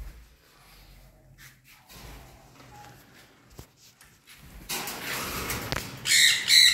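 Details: Sun conure pairs giving loud, harsh, high-pitched squawks after a quiet start.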